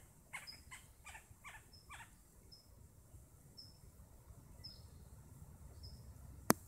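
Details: First bird of the morning, at 5:15 am on an early Monday in late June: a few rough, scratchy notes open, then thin, high, short whistles repeat about once a second, faint over quiet background hiss, ending with a sharp click.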